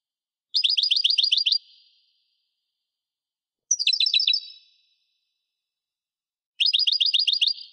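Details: Caged European goldfinch giving three even, rapid chattering trills of about a second each, evenly pulsed and metallic, spaced by quiet gaps of two seconds or more.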